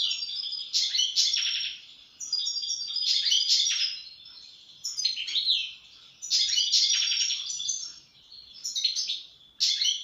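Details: European goldfinch in full song: long bursts of fast twittering, metallic tinkling notes and buzzy trills, each lasting one to two seconds with short pauses.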